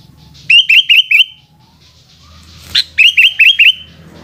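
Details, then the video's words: Sooty-headed bulbul afternoon song: a run of four rapid, looping liquid whistles, a brief sharp click, then another series of four similar bubbly notes, with a soft low hum behind. "Burung kutilang oceehan disore hari"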